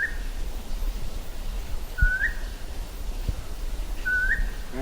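A Mountain Scops Owl gives a sweet, clear whistle with an upturned end, repeated about every two seconds over low background rumble.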